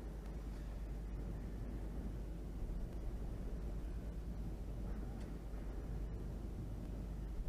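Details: Low, steady outdoor rumble like distant traffic or wind, with faint clicks and no clear animal calls.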